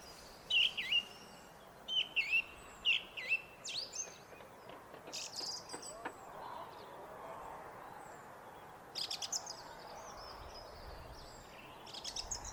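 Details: Song thrush singing near bird feeders on a foggy day: clear whistled phrases, each repeated two or three times in quick bursts, then pauses and fainter, higher twittering notes over a steady background hiss.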